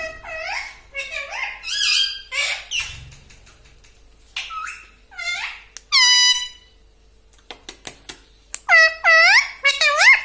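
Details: Talking house parrot repeating words like "mitthu mitthu": many quick nasal, speech-like squeaks in bursts, one long drawn-out honking note near the middle, clicks, then a rapid string of bending squeaky syllables.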